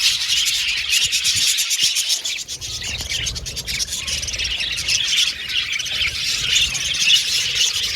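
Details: Caged budgerigars in an aviary colony, singing and chirping: a dense, continuous wash of high, buzzy chatter and twittering from many birds, with low rattling and bumping noises beneath.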